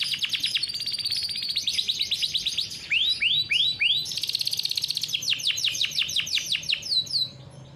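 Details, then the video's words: Farm-bred canary singing a long rolling 'ngeroll' song, used as a lure and master for young canaries: rapid trills, three rising slurs, then quick repeated downswept notes. "KICAU BURUNG KENARI GACOR NGEROLL COCOK BUAT PANCINGAN KENARI PAUD"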